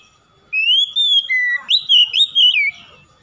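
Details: Oriental magpie-robin singing, meant to get a quiet bird to join in: one loud phrase of rising sweet whistles, a lower steady note, then several quick bright whistled notes in a row.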